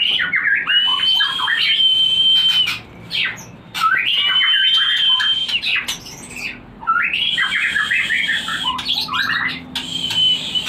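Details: White-rumped shama song for stimulating breeding: three repeated phrases about three seconds apart, each a held high whistle tangled with rapid chattering and warbled notes, with sharp clicks between.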